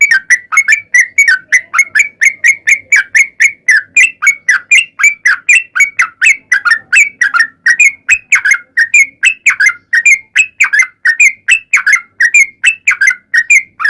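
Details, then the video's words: Sooty-headed bulbul delivering a long 'ropel panjang' song as a lure for bulbuls, a sustained, unbroken series of fast, ringing slurred notes repeated at an even pace for many seconds. "trucukan gacor ROPEL PANJANG"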